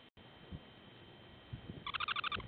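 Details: Semipalmated sandpiper at a breeding site near Barrow, Alaska: one short buzzy pulsed trill near the end, about six rapid stacked notes, after a stretch of low background noise and faint thumps.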